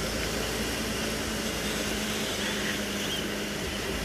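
A steady broadband hum like a vehicle engine or fan runs throughout, with no animal calls standing out.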